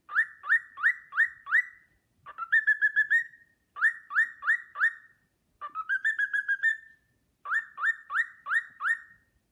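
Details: Whistled Sportpalast Waltz from a pet cockatiel: bursts of four or five upswept clear notes alternate with short trilled phrases that climb slightly, each figure separated by brief silences, with no other sounds.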